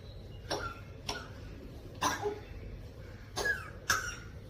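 An African grey parrot gives five short, harsh cough-like bursts about half a second to a second apart, imitating human coughing, in a quiet room.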